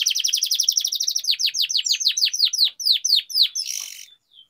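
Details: Canary rolling trill song intended to make lazy canaries sing. A rapid high roll slows into loud down-slurred notes, then a short burst of harsh noisy buzz and a faint final chirp.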